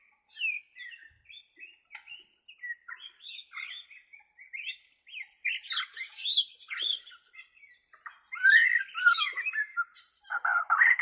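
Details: White-rumped shama from Borneo in natural voice, for training caged shamas: soft scattered chips and twitters grow into dense, scratchy chattering phrases with mixed whistles toward the end.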